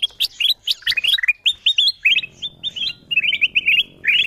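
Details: Ruby-throated bulbul, called kutilang emas, lure call meant to attract wild birds: rapid chains of clear whistled chirps that slur up and down, steady throughout over a faint low hum.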